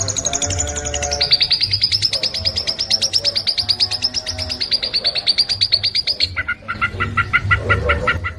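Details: Long-tailed shrike in a fast, fierce training song: a long rapid trill of high buzzy notes, falling briefly before holding steady for several seconds, then switching to a lower stuttering series, over a faint low throbbing hum.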